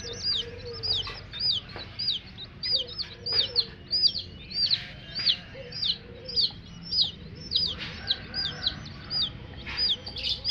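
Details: A flock of coloured chicks chirps continuously, with shrill downward-sweeping peeps in a quick, loosely regular series, plus occasional soft rustling and clicks.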